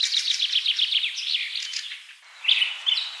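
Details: Bird song opening with a fast trill of quick repeated high notes, then a short gap before clear whistled slurs resume.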